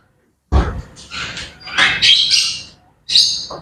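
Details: Morning chatter from grey parrots: a knock-like onset, then a series of harsh, noisy squawks and rasps blending together, ending with a sharp high squawk.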